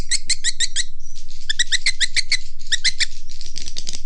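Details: A sound farmers use to draw in swiftlets: quick series of sharp, high chirps in clusters, broken by brief buzzy trills and a thin whistle.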